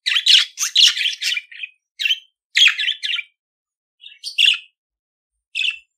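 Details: Budgerigar singing to teach pet budgies: fast run of harsh chirps and squeaks at the start, then shorter chattering groups and isolated squawky notes separated by pauses.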